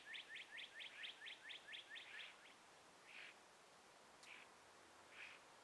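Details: Birds chirping among trees at morning sunrise in a gentle breeze: a quick series of about ten bright, sharp chirps, then a few softer single notes over a steady airy hiss.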